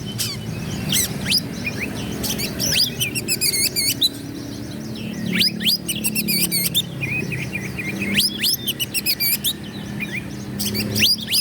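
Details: Oriental magpie-robin song aimed at stirring up rival birds. It comes in bursts of steep rising whistles and quick buzzy trills, separated by quieter gaps, over a rumbling low background.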